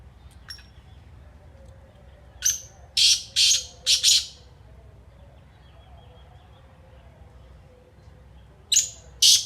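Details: Kala teetar, the black francolin, delivers a rasping call phrase of a short lead note and four harsh, buzzy notes, then silence and the start of another phrase near the end; faint note at the start.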